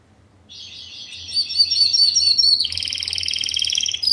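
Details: Timbrado Español canary of 2013, a classico singer described as fast, metallic and strong, swells in from quiet into a dense buzzy trill that steps down to a lower, rattling roll near the end.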